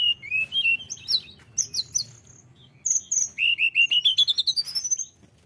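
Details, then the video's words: Tledekan gunung singing actively: sharp high chirps and twittered phrases, then a fast accelerating series of rising whistled notes climbing in pitch toward the end. "tledekan gunung gacor"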